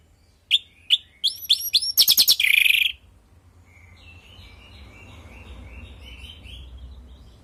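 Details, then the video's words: Orange-headed thrush song, used as a lure for kept birds: spaced sharp chips speeding into a dense harsh rattle and a buzzy squeal, then a faint rhythmic warble. "Pancingan burung anis merah|Agar nyaut Dan ikut ngeplong|"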